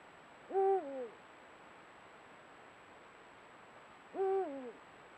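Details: Two low hoots about three and a half seconds apart from a Eurasian eagle-owl of a pair at sunset, trail-camera recording; each one rises, holds and falls away in steps, with quiet between them.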